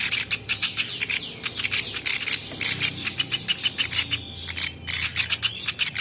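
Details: Velvet-fronted nuthatch on a tutor track for songbirds, uttering loud clipped high chips in quick irregular clusters, overlaid by short thin whistled notes.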